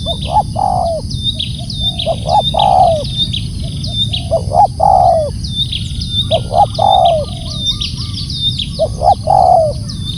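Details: Spotted dove giving loud calls: groups of two or three rough coo notes, the last one longer and drooping, repeated about every two seconds, with high repeated chirping and low steady hum behind.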